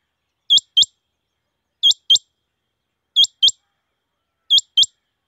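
A rain quail gives sharp, high, metallic double notes, 'whit-whit', repeated about every 1.3 seconds against a quiet background.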